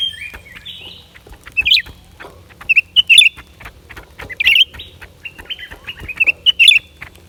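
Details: Lesser green leafbird, January 2023, singing a mix of thin, long whistles and quick, bright, twisting chirps, delivered in short clusters with brief pauses, over a light clicking background.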